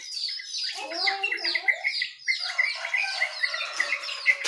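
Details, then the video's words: Bulbuls and white-eyes in the morning: busy overlapping chirping and twittering, with a bright repeated high note woven through lower warbled phrases. "Suara Burung Jongkangan, Terucukan , Pleci di pagi hari"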